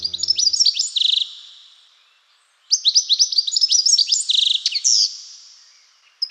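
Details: European goldfinch, a UK songbird, sings a rapid, cheerful, tinkling chatter of high, bell-like trills and twitters in two bursts separated by a short pause.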